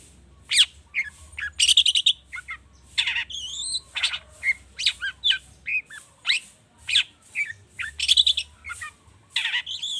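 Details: Long-tailed shrike, agitated, giving a lure song rich in mimicked fill-in phrases, used to make other birds sing readily: rapid buzzy bursts, rising whistles and harsh chattering notes, high-pitched and packed closely together with short gaps, over a faint low hum.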